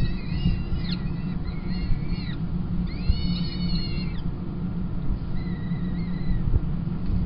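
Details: Peregrine falcon chicks at a Kingston College nest, being fed on 28 April 2021 as the female takes over from the tiercel; thin, harmonic whistled calls, some rising and falling, in short runs over a steady low hum.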